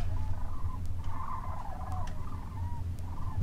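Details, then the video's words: Distant birds that viewers identify as sandhill cranes, though people on site took them for turkeys, give rolling, rattling bugles in overlapping bursts under a heavy low rumble of wind or engine noise. "That sound is sandhill cranes!"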